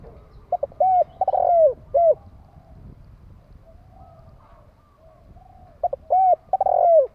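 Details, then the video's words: Spotted dove, a kept decoy bird, cooing: two phrases of low, hollow coos, each a quick pair of hooked notes, a long throbbing coo and a falling closing note, with a quiet pause between phrases. "Chim cu gáy hay kích bổi nhanh nổi"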